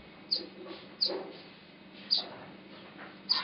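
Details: Masked weaver at work on its nest at Huab Lodge in Namibia, giving short bright high chirps at irregular intervals of about one second, with soft rustling between.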